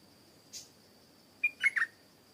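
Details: Stripe-throated bulbul singing in a garden, with a brief chirp followed by a rapid cluster of three liquid, gurgling notes; a faint continuous high tone runs in the background.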